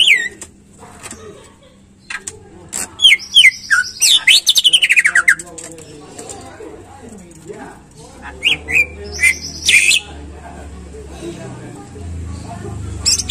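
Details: Greater green leafbird singing, used as a lure to prompt caged birds to sing: a quick run of descending whistled slurs and chattering notes, pauses, then another burst of high notes, with low rumbling background noise.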